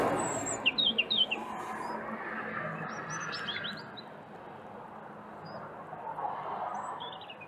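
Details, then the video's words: European robin song and subsong, short, thin, high warbling phrases with quick sliding notes and pauses, over rushing noise; it sings year-round, with autumn–winter song quieter, longer-phrased and more melancholy. "Kızılgerdanın ötüşü /Nar bülbülü ötüşü ve alt ötüşü | European Robin song and subsong"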